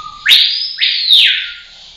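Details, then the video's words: Rose-collared Piha singing a loud whistled phrase: a low steady tone leaps upward into a long high note that glides down, then a second rising sweep and slow falling slur. "Canto do pássaro cricrió de cinta vermelha"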